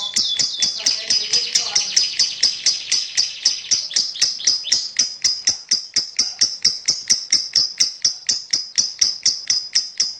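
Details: Champion lovebird singing a long, rapid string of sharp, high chirps, about two per second, some with a brief lower chatter at the start, steady and bright throughout.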